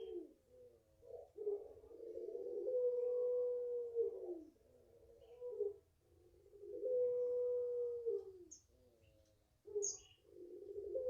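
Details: Five-month-old puter pelung (Barbary dove) from the owner's garden repeating its long call: two extended level coos about four seconds apart, each ending in a falling slur and short follow-up coos, with occasional high chirps of small birds.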